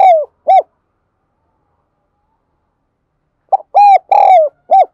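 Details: Spotted dove calling in đồng son style to bring wild doves in: end of one phrase, three seconds of silence, then a full phrase of clipped hoots, a long drawn coo and a final short coo.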